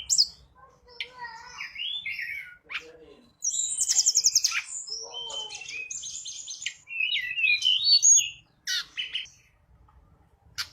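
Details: Mountain Sunda robin in full song, used to lure other birds: scattered sharp whistles and slurred notes, a loud rattling trill, then a busy run of high chattering phrases with short pauses.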